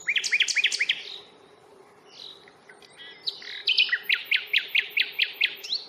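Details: Common nightingale singing on a reserve at Fingringhoe on 1 May, recorded on a Panasonic Lumix FZ82 during a stroll: a burst of quick varied notes, a pause, then a fast series of loud, evenly spaced sharp notes, with a steady low hum behind.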